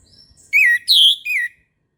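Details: Morning song of an Orange-headed thrush: a single clear whistled phrase of three notes, a wavering middle-pitched note, a higher ringing note, then a shorter falling note, preceded by a faint thin high whistle.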